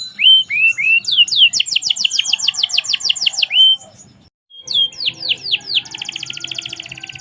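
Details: Merlok canary singing actively: a few rising whistles, then a long rolling tour of quick high downsweeping notes, a short silence, several sharp downslurs and a fast pulsing trill to finish.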